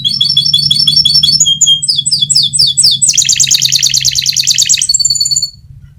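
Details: Master-recording rolling song from a fighter canary, for canaries that have stopped singing: rapid trilled notes, swooping chirps, then a long dense buzzing roll and clear whistles, with a steady low hum behind.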